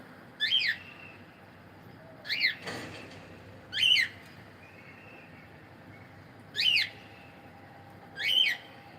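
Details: Five clipped, upward-sweeping chirps from a male cockatiel, spaced irregularly over a steady background hiss, with a soft thump between the second and third calls.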